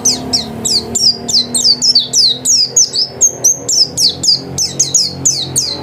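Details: White-eye kept at home in full, lively song: a steady stream of high, thin chirps, each sweeping sharply downward, about three per second with few pauses. Some faint low background hum.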